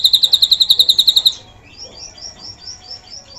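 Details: Drongo song with a cililin filling, used to tutor other songbirds: a burst of about a dozen loud, evenly spaced high pulses over one second, followed by faint, thin high chirps.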